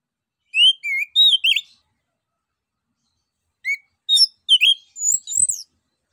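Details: Ngeplong-style song of an orange-headed thrush, meant to prompt other birds to sing: a short run of clear slurred whistles and chips, a pause of about two seconds, then a second varied phrase of high twisting notes.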